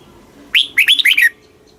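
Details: Red-whiskered bulbul in Thailand giving a single short southern-style song phrase, meant to rouse caged birds and teach youngsters: a sharp rising opener followed by four quick, bubbling whistled notes.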